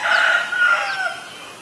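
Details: Common Myna in Ubon Ratchathani, Thailand, recorded May 3, 2022: a loud, harsh, drawn-out call with a slight break midway, holding a steady pitch before sliding down and fading.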